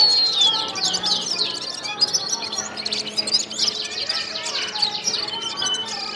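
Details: Gulsar bird in full song, a rich, fast stream of high chirps, trills and short downslurred whistles, loud and continuous throughout.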